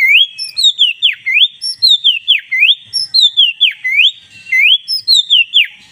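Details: Black-breasted Oriental magpie-robin singing vigorously: clear whistled phrases of rising and falling slurs, repeated in a steady cycle about every second, with no other sounds.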